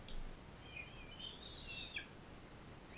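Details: Captive bald eagles, an adult female foster parent with a bald eaglet from Powell River. One drawn-out, high, wavering whistle rises and falls, ending in a brief downward flick, followed by a short thin note, over steady low noise.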